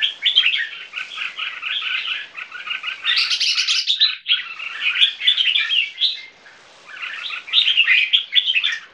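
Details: Two 3-month-old captive Viet-Thai crossbreed red-whiskered bulbuls sing against each other in a dense, overlapping stream of bright, chattering chirps and warbles with only brief pauses.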